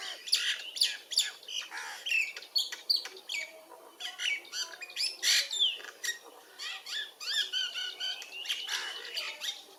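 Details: Myna chirping: a dense run of sharp, varied chirps and squawky notes, high-pitched and closely spaced, several per second throughout, with some fainter overlapping calls in the background.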